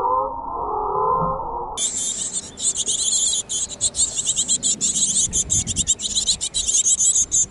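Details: Great tits from a busy family in a backyard on 5 May 2014. A muffled low murmur gives way to rapid, high, scratchy calls repeated in quick bursts several times a second.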